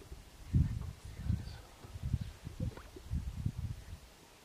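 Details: Lekking male greater sage-grouse, a pair displaying their elaborate courtship as a female walks past; quiet, low popping thumps, roughly one every half second, over a faint outdoor hush.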